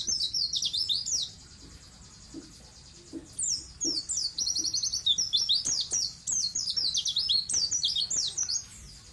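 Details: White-eye (pleci) singing vigorously, a master recording for tutoring young captive white-eyes: rapid high twittering of slurred, down-and-up chirps, one long steady whistle-like tone early on, then dense chirp bursts after a short lull.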